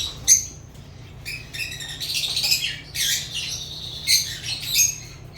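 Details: Chirping sounds of African lovebirds: bursts of shrill, grating squawks and thin high chirps come in clusters separated by brief quieter gaps, with several sharp piercing peaks, against a light background hum.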